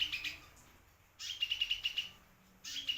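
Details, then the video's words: Kolibri merak or gunung sunbird song for training white-rumped shamas and oriental magpie-robins: short bursts of quick, sharp high notes, one run of about eight evenly spaced pulses, then another trill beginning. "BURUNG KOLIBRI MERAK/ GUNUNG GACOR"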